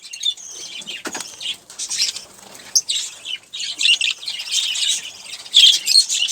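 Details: Olive-throated parakeet, a single caged bird, eating sunflower seeds and drinking water; a dense run of harsh, high chattering chirps and squeaky notes, with rustling and clicking sounds of feeding between them.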